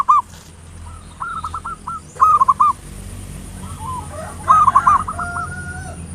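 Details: Local zebra dove lure song in the ngayer nulop style, meant to stimulate singing: three or four short, bubbling trilled phrases at irregular intervals, against a low hum and quiet hiss.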